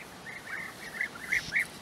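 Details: European bee-eater calls recorded where the birds have nesting burrows in flat open land at Puszta Eldorado: six rolling, trilled notes in under two seconds, growing louder toward the end.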